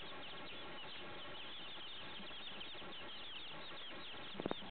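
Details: A brood of about fifty newly hatched domestic chicks, some kept as layers and most raised for meat, fills the air with a dense, continuous chorus of high, overlapping downward peeps, with a few brief louder knocks near the end.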